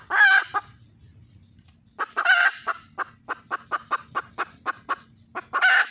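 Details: Red junglefowl hen calling for a male: loud harsh squawks at the start, middle and end, separated by steady runs of short clucks.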